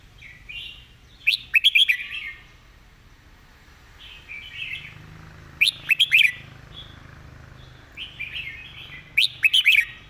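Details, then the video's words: Red-whiskered bulbul singing a repeated master-pattern song: bright, quick whistled phrases with sharp chirps, the same phrase returning about every four seconds, over a low steady hum. "เพลงดี"ปากไว เดินเพลงย้ำๆ เพลงแม่บท"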